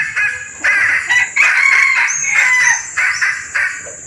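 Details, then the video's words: Lure recording of a female red junglefowl in heat summoning males: a run of loud, rasping, clucking calls with a drawn-out squealing note in the middle, backed by a constant high-pitched insect drone. "SUARA PIKAT AYAM HUTAN BETINA birahi memanggil jantan"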